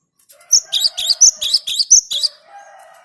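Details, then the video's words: Cinereous tit song used as a lure for trapping birds: a quick run of about eight sharp, high whistled notes, each bending upward, delivered in under two seconds, with a faint lower hum afterward. "Suara Gelatik Batu ini Ampuh buat Pikat"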